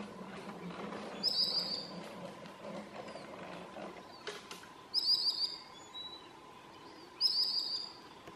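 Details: Common sandpiper at midsummer in Southern Savonia, Finland: three quick bursts of thin, high, piping notes, each a rapid run of four or five notes, coming roughly every three seconds over a faint steady hum and low background rumble.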